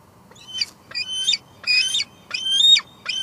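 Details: Female bald eagle squeeing at her nest at Two Harbors on a July 2022 evening, picked up by a live nest cam: five high, thin, squealing notes in steady succession with short gaps between them.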